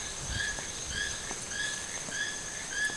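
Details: Wild toucan at Sueño Esmeralda giving a steady series of short, nasal, slightly rising notes roughly every half second, over a constant high insect hum and low background rumble.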